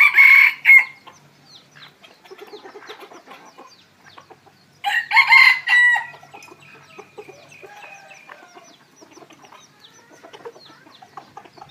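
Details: Red junglefowl crowing in the evening where a decoy cock is kept to draw in wild birds: a clipped crow opens, another stronger one follows about five seconds later, with soft scratching and thin high chirps between.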